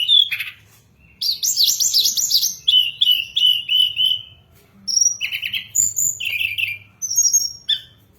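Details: Hill blue flycatcher song, a lure for training and catching birds: a trilled rapid passage followed by sweet whistled phrases and short bright notes, delivered in bursts with brief pauses.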